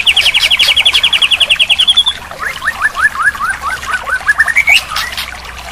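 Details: Training song of the murai batu (white-rumped shama) for a bird that has gone quiet, full of fill-in phrases: a dense high trill for two seconds, then a slower series of lower, rising slurred notes that climbs at the end.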